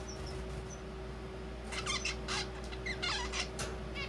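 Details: A zebra finch chick, possibly male since it has begun singing, rambles through buzzy, nasal notes and brief squeaky phrases in an awkward, irregular practice song, after a few thin high peeps, over a steady low hum.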